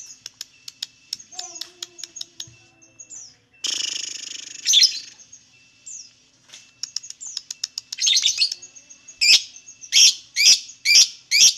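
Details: Lovebird song meant to lure other lovebirds into singing: soft ticking notes and short whistles, a harsh hissing burst, then mixed chirps ending in a fast row of loud, sharp chirps.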